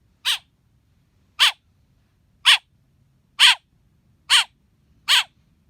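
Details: Baby blackbird giving six loud, buzzy chirps about a second apart against an almost silent background.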